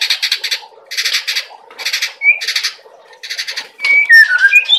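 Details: Speckled-plumaged white-rumped shama singing with cerucuk fill-in phrases: repeated bursts of harsh, rattling, broadband chatter, broken by a brief whistle, then ending in a quick series of bright, sliding whistled notes.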